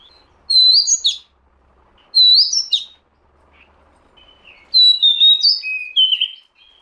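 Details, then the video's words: Lure recording of an Oriental magpie-robin: three loud bursts of sweet whistles and quick slurred notes, each about a second long and separated by short pauses, the last burst longer and more varied. "suara pikat kacer"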